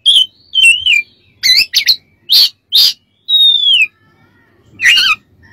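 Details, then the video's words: Oriental magpie-robin song recorded as training material: wavering whistles, harsh buzzy notes and a long clean downslurred whistle, separated by clear gaps of silence. "MASTERAN KACER DAN TERAPI"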